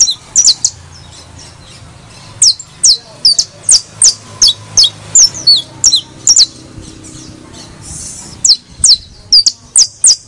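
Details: Criollo saffron finch song played to encourage other birds to sing: sharp, high chirped notes in bursts, sometimes doubled, with brief gaps and a fuller run near the end. Faint low hum underneath.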